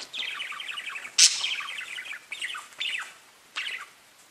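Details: Pet budgerigars produce a dense, rapid chatter of tiny high chirps, broken by one loud sharp squeak, then a few separate descending warbled notes trailing off.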